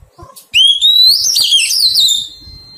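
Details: Oriental magpie-robin, a newly caught wild bird being tamed, gives one loud whistled phrase that rises steadily, then breaks into rapid warbling twists before fading; faint tapping noises before it starts.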